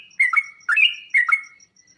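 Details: Three rich, warbled phrases from a sooty-headed bulbul, each a quick low dip followed by a brighter sustained note. The song is used to coax kept bulbuls into answering. Faint high ticking can be heard between phrases.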